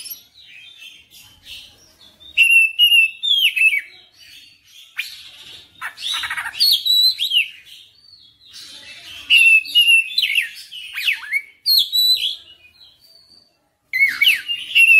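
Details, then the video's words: Oriental magpie-robin in chatty, persistent full-repertoire song: bursts of loud, varied whistles, rapid chirps and sweeping notes, separated by quieter pauses of one to two seconds. "KACER NGOTOT GACOR FULL BONGKAR MATERI"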